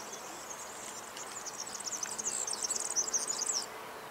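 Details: European serin (Serinus serinus), song.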